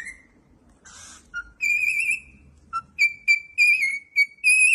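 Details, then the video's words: Cockatiel song: a short whistle, a soft noisy burst, a low note, then a long vibrato whistle followed by a run of clear repeated whistled phrases. "cockatiel song"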